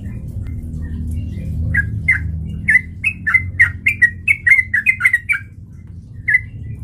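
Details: Sooty-headed bulbul lure song meant to provoke fighting: soft notes building into a rapid, bubbly run of short whistled phrases, then a lone final note, with low background hum.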